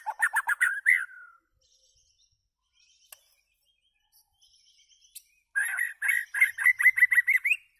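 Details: Loud white-rumped shama song opening with a fast chattering burst and falling whistle, a quiet stretch with faint clicks, then a rapid run of repeated chirping whistles.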